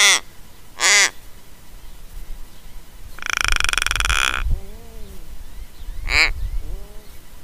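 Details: An Australian Little Raven, caught on a trail camera at Mannum, South Australia, fluffs its head feathers and ruffles its throat hackles as it gives short harsh creaks and one longer grating, rasping burst, then lower bending croaks. A few notes repeat every several seconds.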